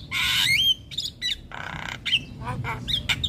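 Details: Javan myna master song with fill-ins for young birds: a loud harsh squawk sliding into a whistle, followed by a broad rasping buzz and short chattering notes.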